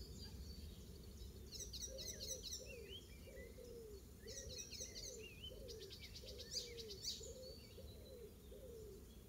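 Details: Mimicking Icterine warbler in a Pieterburen garden on 17 May 2022, its song copying oystercatcher; bursts of rapid high chattering trills and whistled slurs, while a lower, soft, arching note repeats about every 0.6 seconds throughout.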